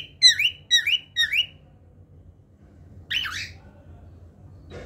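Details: Cockatiel singing indoors: three quick matching whistled notes, each rising and falling, followed by a pause and one harsher, buzzier squawk-like phrase near the end, against a low steady background hum.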